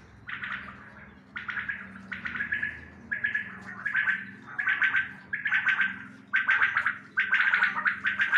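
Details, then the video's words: A quail gives harsh, raspy, gargling bursts, about one a second in an uneven run, growing louder toward the end, over a low steady hum. "Batair Ki latest Awaz | Quail Sound | Bater Sound | Bater Ki Awaz | перепел"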